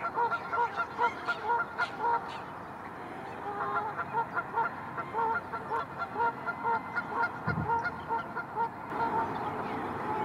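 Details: Dozens of Arctic geese with their chicks among millions of white flowers; short nasal honks in uneven bursts, roughly a dozen or more across ten seconds, several birds overlapping, over a steady background hiss.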